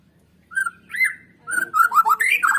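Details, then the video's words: Brief white-rumped shama song for stimulating birds to sing: two drawn-out whistled notes, the second sweeping up and down, followed by a lively run of rising and falling whistles. "Pancingan Murai Batu Agar BUNYI GACOR"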